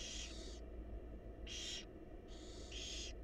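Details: Wild barn owl chicks in a nest box hiss hoarsely to beg while fed by their mother, three rasping snore-like bursts in quick succession over a steady low hum.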